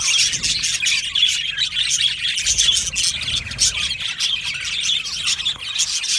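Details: Australian budgerigars in an aviary colony singing and chirping, with many birds producing rapid high chirps, chatter and scattered squawks all at once.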